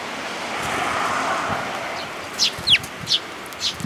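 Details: Chirps of a sparrow at a Tenmangū shrine, 14 May 2022: after a windy, rumbling opening, four quick high notes follow, each dropping sharply in pitch, spaced roughly half a second apart.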